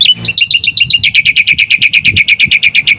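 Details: Singing black-winged myna, used as a lure for training other mynas: a rapid, even string of bright, ringing chirps, about seven per second, with faint low rumble beneath.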